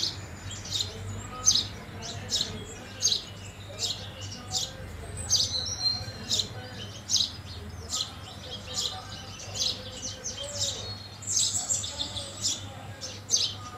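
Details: Regular bright chirps from house sparrows feeding near houses, repeated through the whole stretch, with a few high whistles near the end and a low constant hum.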